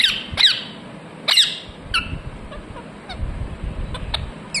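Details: Two loud, harsh parrot chirps open the recording, followed by a few fainter, shorter chirps over a low background rumble.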